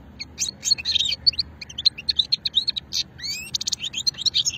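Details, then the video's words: European goldfinch, old-strain song, Sétif region at Hammam Guergour, 2020, delivering a continuous run of fast tinkling twitters, buzzy notes and rising slurred whistles. "مقنين شتلة قديمة"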